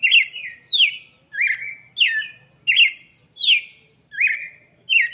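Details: Loud red-cowled cardinal song for chicks, clear downward-sweeping notes repeated about every two-thirds of a second in a steady, even pattern on a quiet background.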